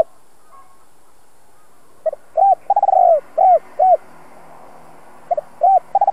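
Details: Decoy spotted dove singing its two-ending 'giọng đồng' phrase to provoke wild doves. Silence, then a clipped double note, mellow arched coos, a long descending coo and more arched notes, with a second phrase starting near the end.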